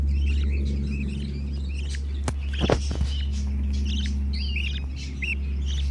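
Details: Four baby budgerigars about three weeks old, white above and violet-blue below, busily climbing on each other, chatter in soft, scratchy chirps over a steady low electrical hum.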